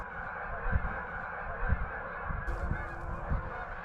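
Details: Thousands of migrating Sandhill Cranes gathered on a Northern Minnesota staging ground in bitter November cold keep up a dense, overlapping chorus of rolling, deep trumpeting calls with no gaps, over a low rumble of wind.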